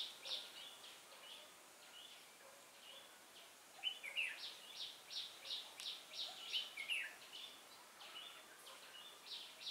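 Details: Red-whiskered bulbul of the white-cheeked type, recorded during a trapping session on 18 June 2018. Quick, chattering high notes repeat rapidly in bursts, with a few brighter whistled phrases mixed in, over a steady outdoor hiss.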